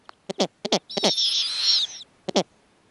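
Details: A female snowy owl on the nest with young, greeting a male arriving with prey, gives a few sharp, harsh barking notes, then a long, high, raspy screech lasting about a second, then two more clipped barks.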